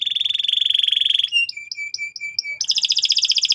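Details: Domestic canary singing to train young birds. A steady rapid trill leads into a series of clear, evenly spaced piping notes, then ends in a bright, buzzy high trill.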